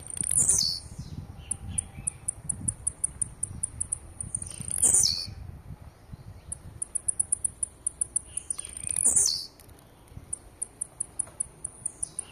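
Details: Blue-black grassquit singing aggressively, repeating a loud buzzy downslurred phrase roughly every four seconds, with bursts of fast thin ticking notes filling the gaps and a little low rumble beneath.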